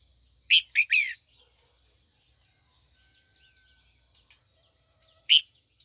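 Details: Female red-whiskered bulbul in afternoon training, calling to stir older wild males into rival song: a quick three-note chirpy phrase, long quiet gap, then one single chirp, over a constant high-pitched whine.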